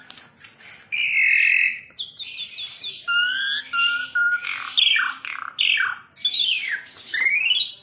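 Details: Varied Asian pied starling song mixing a buzzy held note, flat whistles, and quick rising and falling slurred notes delivered in rapid succession.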